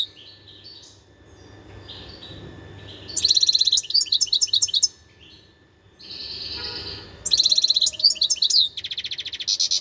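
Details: Wild European goldfinch singing: bursts of bright, tinkling twittered notes and a buzzy trill, separated by quiet pauses, with a steady faint hum in the background.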